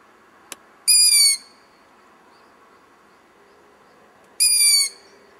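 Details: Owl chick hidden in a tree about 100 m away, heard in low light, giving two loud, harsh, hissing screeches, each about half a second long and three and a half seconds apart, over a faint low hum.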